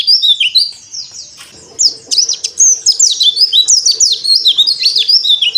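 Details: Oriental white-eye on a terrace, bill open while singing: rapid high twittering phrases of thin descending and rising notes, dense and continuous, with a faint steady hum underneath.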